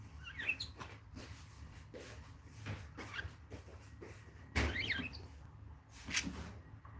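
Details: Kept indoors, a male budgerigar and his mother produce short, warbled, zigzagging chirps near the start and again midway, mixed with clicks, knocks and rustling from the cage.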